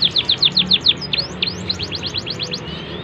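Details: Canary song, good cengkok, used to train young birds: seven loud falling chirps in under a second, then quieter fast repeated rising-falling notes.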